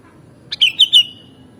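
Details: Sooty-headed bulbul, known as kutilang, sings for a mastering recording: a quick click followed by three fluty, downward-slurred whistles in an even, bubbling sequence, loud and clear over a quiet background.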